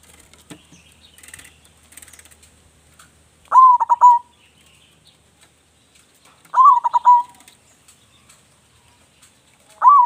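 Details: Loud local zebra dove song meant as a lure to set other doves singing: mellow, pulsing coo phrases with a rapid stutter then a sustained final note, spaced about three seconds apart after a stretch of faint twittering from other birds.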